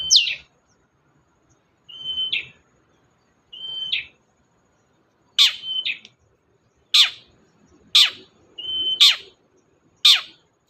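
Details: Long-tailed shrike song used as a lure for a non-singing shrike: short level whistles ending in buzzy flourishes alternating with steep, loud downward swoops, phrases spaced one to two seconds apart, otherwise quiet.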